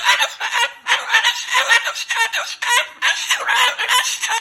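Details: Pet Moluccan cockatoo loudly talking and swearing in anger: dense, raspy, word-like syllables in quick, uneven bursts throughout.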